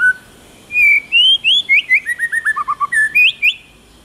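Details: Loud, clean song from a tamed white-rumped shama in forest style: a brief low whistle, a pause, then rising and falling whistles stepping down into a rapid string of short notes, ending with upslurred whistles.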